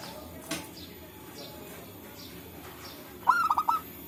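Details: Local zebra dove in forest, birds answering one another, recorded as a lure for trapping: quiet forest with faint chirps and a soft thump, then one fast stuttering cooing phrase near the end.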